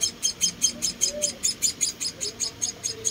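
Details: Rescued munia chicks during feeding, repeating high thin chirps at an even pace of about two and a half per second, with faint low sounds beneath.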